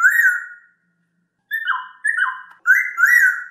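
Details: Masked laughingthrush, a caged songbird, gives a long falling whistle, pauses, then delivers three quick descending slurs and a loud rising-falling whistled phrase.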